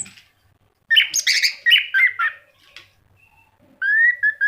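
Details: Orange-headed thrush in full gacor song: a burst of jumbled warbled and buzzy notes, a pause with faint ticks, then a clear rising-and-falling whistled phrase.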